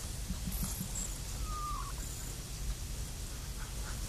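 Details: A female emu drumming in a backyard: a deep, throbbing, low continuous rumble with a few soft pulses, with a brief faint whistle and thin high chirps behind it.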